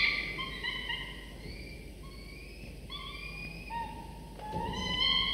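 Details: Falcon chicks around 24 to 25 days old, sleepy but being fed prey by their father at the nest in the morning. Repeated whining, thin, level notes overlap in quick succession, with a louder rasping burst near the end.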